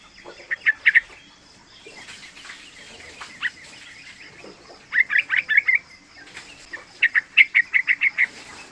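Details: Three-month-old yellow-vented bulbul used as a lure to make other bulbuls sing and as a tutor for learning. It gives bursts of rapid bubbly chirps in runs of five to eight notes, separated by pauses.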